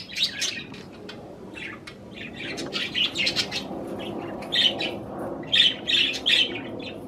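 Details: Pet budgerigars at a treat of cherry tomatoes chatter in high, scratchy chirps and squeaky warbled notes, coming in uneven bursts with short quieter gaps and occasional wing flapping.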